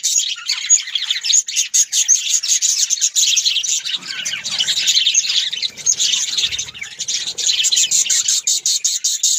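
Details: Australian parrots, named as budgerigars, twitter and warble nonstop in a bright, crowded chorus of high chirps. Faint low rustling is heard in the middle.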